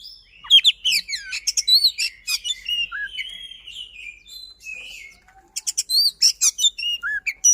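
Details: White-rumped shama, a kept bird with speedy, tightly packed song, pours out varied whistles, slurred swoops and sharp clicking chips in quick succession, briefly softer near five seconds before another rapid run.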